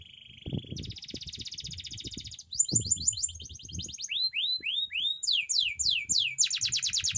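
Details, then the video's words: Canary training song: a long varied canary phrase moving through a steady buzzy trill, a fast bright rattle, then sharp downward-sweeping whistled notes and a rapid high trill, with soft low thumps underneath. "canary bird singing _your canary will not stop singing with this training song_الكناري"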